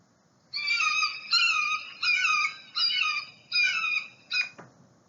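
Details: Red-shouldered hawk, a common hawk of Santa Clara County, giving six loud, ringing, slightly down-slurred kee-ah screams, about one every three-quarters of a second, over a faint low hum.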